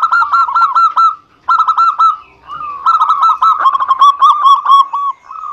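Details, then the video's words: Zebra dove song played to encourage idle doves: repeated clusters of bubbling, purring coo notes with short breaks, then a sustained, lively run of clear, ringing notes. "Pancingan Perkutut Anti Gagal Bunyi Cocok Untuk Perkutut Yang Malas Bunyi"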